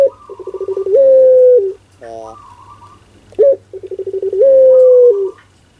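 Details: Two pelung-style phrases from a ringneck dove, stuttering pulsed coos swelling into a long drawn level coo, separated by a sharp rising note, with a faint higher twittering bird and a short buzzy sound between phrases.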